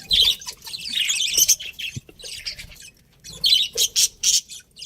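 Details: Breeding pair of pet budgerigars giving high, scratchy warbling chatter in two bursts of rapid chirps separated by a brief quiet gap.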